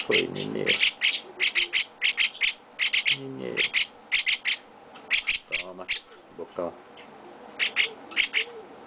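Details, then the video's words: Baby chestnut-cheeked starling with its owner, being cuddled, calling in irregular bursts of short, scratchy squawks, mostly in twos and threes, with occasional human murmurs beneath. "Chestnut-Cheeked Starling baby mukudori carinho"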